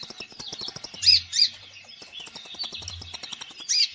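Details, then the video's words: Konin bird in full song for training a konin that seldom sings: soft, fast ticking twitter throughout, broken by a few louder high chirps. "KONIN GACOR FULL ISIAN"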